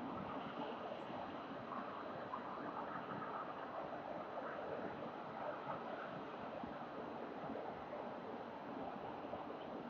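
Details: Steady wind and distant traffic rumble in Melbourne's city centre, a broad continuous roar with no calls standing out.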